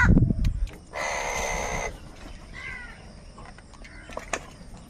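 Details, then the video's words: Angry crow over food: one long, rasping caw near the start after a low thump, then a brief nasal note and faint distant chatter. "Angry kauwa ki awaaz | Crow bird unity anger and sound for food"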